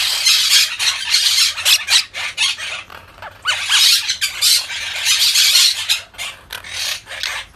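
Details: Monk parakeet chattering with rapid, harsh squawks delivered in quick uneven series, broken by brief pauses, loud and grating throughout.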